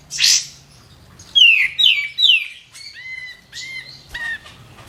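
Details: White-eared bulbul (kapas tembak) singing densely, known for loud, sharp 'shooting' phrases: a harsh burst, then three clear downslurred whistles and level whistled notes ending in a short slurred phrase, over a faint low hum.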